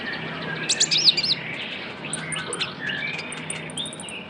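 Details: Young Javan white-eye lure sound, opening with a loud cluster of high twittering chirps, then quieter scattered ticks and thin repeated high peeps over noticeable background noise.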